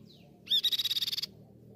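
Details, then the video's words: A Grey-cheeked tit-babbler opens with a thin down-slurred note, then a fast, even rattle of about fourteen high notes in under a second, over a faint low hum. "Masteran & Pancingan Burung Tepus Pipi Perak Gacor"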